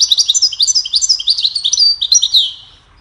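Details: Cheerful goldfinch melody used for teaching birds: quick, bright chirping phrases, high tinkling notes and downward-slurred whistles strung together rapidly, then trailing off into quiet.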